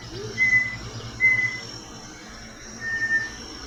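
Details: Bartlett's Tinamou, a species of the Brazilian Amazon in Amazonas and Acre, gives three clear, steady whistled notes about a second apart, with other Amazonian forest birds singing in the background.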